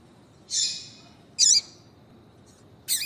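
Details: A buzzy, drawn-out high note, then a sharp chip and a final clipped call from a female double-collared seedeater. The call is used to prompt a male to sing, and little else is heard.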